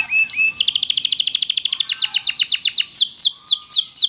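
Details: Dense loper canary song meant as a tutor for other canaries: a couple of soft rising notes, a fast buzzy high trill, then slower loud descending whistles.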